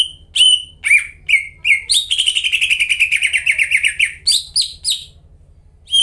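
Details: Lively greater green leafbird song played as a lure for caged leafbirds that have stopped singing: a few sharp whistles, then a fast rattling run of trilled notes, followed by high chirps, with a low background hum.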